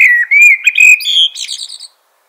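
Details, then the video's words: A single flowing phrase from a common blackbird: a smooth, rising and falling whistle that climbs into a bright, chattering high-pitched finish before stopping abruptly. "Natural Birds Voice, Bird Natural Sound.Common Blackbird."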